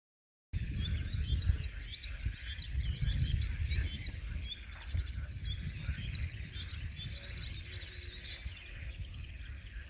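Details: Blyth's reed warbler singing at Millingerwaard on 1 June 2020: a busy, continuous run of high chirps, trills and short whistled notes, partly masked by a steady low rumble of wind or distant noise.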